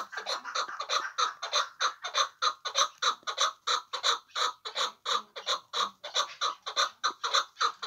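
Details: Hybrid chukar partridge calling in a steady, rhythmic series of harsh clucking notes, about one and a half per second, evenly repeated for several seconds.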